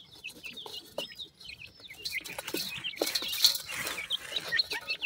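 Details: Several Mikado pheasant chicks feeding beside their mother; rapid, thin descending peeps run almost continuously, about two each second, over soft rustling and pecking sounds that grow louder near the end.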